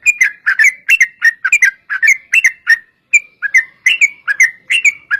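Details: Sooty-headed bulbul singing steadily to draw other bulbuls into song, a continuous series of liquid whistled two- and three-note phrases with brief gaps, clean and close.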